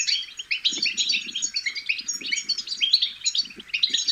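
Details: European goldfinch chicks chattering, used to stimulate goldfinches to sing: dense, unbroken twittering of tinkling, high chirps from several overlapping voices, with soft low rustling thumps in short bursts.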